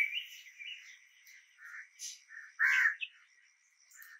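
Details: A red-whiskered bulbul in Pune, India, in August 1993 gives short, bright chirps and warbled notes in quick, uneven bursts over a steady high electrical whine.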